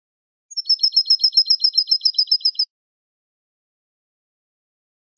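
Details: European goldfinch song used for teaching young goldfinches to sing: a rapid run of about a dozen bright, buzzy twittering notes repeated evenly for two seconds on a clean, silent background.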